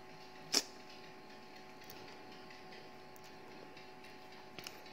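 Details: A quiet indoor hum is broken by one sharp click near the start and a faint double tap at the end, with no animal voices.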